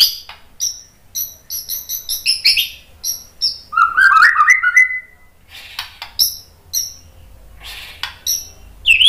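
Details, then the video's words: White-rumped shama singing as lure material: clipped high chirps repeated quickly, a mid-song burst of fuller, lower gurgling notes, then more scattered sharp chirps and a final rising whistle. "MASTERAN MURAI BATU biar ikut EMOSI NYAUT GACOR BONGKAR MATERI TEMBAKAN ¦ PANCINGAN MURAI"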